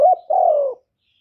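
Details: A spotted dove gives its luring coo to stir other doves into calling: the tail of a short warbled note, then one long, even, mellow coo that slowly drops in pitch before stopping. No other sounds.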